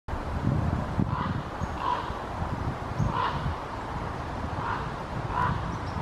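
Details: A common raven flying low over a cemetery in Helsinki, Finland, in October 2021, giving five hoarse, low croaks about a second or more apart over a steady rumble of wind or distant traffic.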